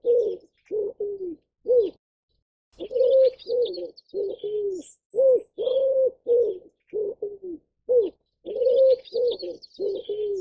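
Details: Ashy wood pigeon uttering an extended irregular series of low, hollow coos, clustered notes with arched or falling shapes and one longer pause; faint high-pitched chirps of other birds behind.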